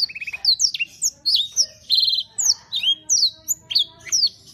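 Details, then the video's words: Canary in gacor song: opens with a short fast rattle, then loud sharp descending chirps and a buzzy burst, repeated at an uneven brisk rhythm with a faint low hum. "KOMPILASI KENARI GACOR"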